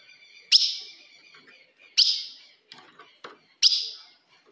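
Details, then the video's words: Ultramarine grosbeak, female call called fogo de fêmea for provoking a male: three loud, sharp downward chips roughly one and a half seconds apart, with faint ticks in between. "se o seu azulão não segura fogo de fêmea Esse é o vídeo"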